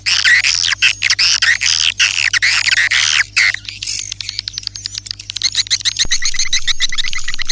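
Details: Swiftlets heard in a lure sound: bursts of harsh, buzzy chirps in quick groups, then a fast run of clicking twitters, with a faint low hum underneath.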